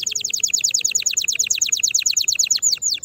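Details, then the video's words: Canary singing loudly to encourage other canaries to sing, a rapid sustained trill of high downslurred notes, about three a second in groups, ending in a few slower falling whistles. "تغريد طائر الكناري هائج نار , لتحفيز على الغناء"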